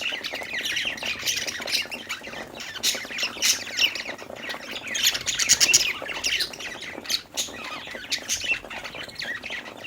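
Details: Several happy budgerigars chirping while playing: dense overlapping chatter of sharp squawks and warbling chirps, loudest in bursts around the middle, with a steady busy flock sound throughout.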